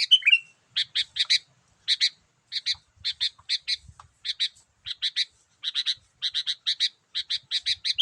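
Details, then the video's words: Sooty-headed bulbul "gacor" calling for luring wild birds: one bubbling whistled phrase, then a long series of harsh, scratchy chattering notes in clusters of two to four, repeated steadily. "memikat burung kutilang dengan suarany yang gacor"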